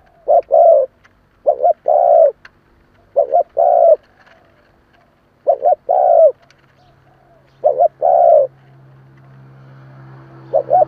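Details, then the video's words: Spotted dove kept as a decoy, cooing to stir wild doves into answering. Phrases of two quick notes and one long mellow coo repeat about every two seconds. Five phrases are heard, with a low steady hum near the end. "Chim cu gáy kèm hay kích bổi Nhanh nổi hiệu quả/ Tiếng chim cu kích bổi"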